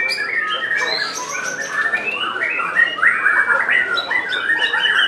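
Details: White-rumped shama singing in the top class of a bird singing competition in Semarang, Central Java, 3 July 2022: fast, varied warbled phrases of rising and falling whistles and chattering notes, flowing continuously with little pause.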